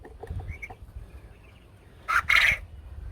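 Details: Farm-kept quail that have just started getting vocal, not yet laying eggs, giving their little crow: two loud harsh bursts near the end, a short one then a longer buzzy one, after quieter faint chirps and low background rumble.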